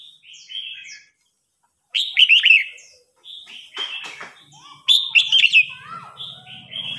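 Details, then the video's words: Red-whiskered bulbuls singing against each other, an old bird challenging a young one; short cheerful warbled phrases repeat in bursts with quieter whistles between and some low rattling noise near the end. "Chào mào hót đấu.Rừng già chinh phạt bổi non.bổi non ức chế lên lửa"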